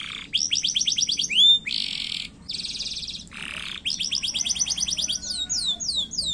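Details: Active-singing canary, a short fast-paced song used as a lure to prompt other canaries to sing: dense high rolling trills, rapid chirps and sweeping whistled notes in bursts, broken by brief pauses, with buzzy chattered segments between.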